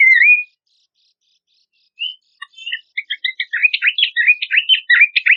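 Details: Horsfield's babbler song, compiled as lure and tutoring material for contest songbirds: a lone rising whistle, a quiet gap, then an accelerating run of sharp chips and downslurred notes, about three a second.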